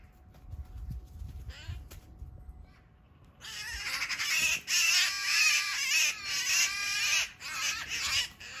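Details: Eurasian magpie under attack by a Eurasian sparrowhawk in a backyard, about three meters from the recordist: after three quiet seconds, loud, harsh, grating chatter bursts out and continues in rough, overlapping squawks to the end.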